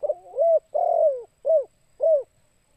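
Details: A spotted dove (tekukur) gives a "kuk 2" call used as a lure for trapping: soft, hollow coos, a short note, a long drawn coo, then two shorter rounded coos over about two seconds.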